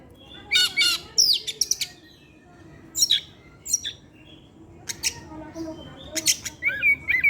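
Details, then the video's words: Evening song of a caged Oriental magpie-robin: scattered bright chirps, harsh notes and sweeping whistles in quick clusters, ending with a rising and falling whistled phrase, over low background hum. "pancingan suara kacer , Opus setiap sore ngeplay dan keluar materi"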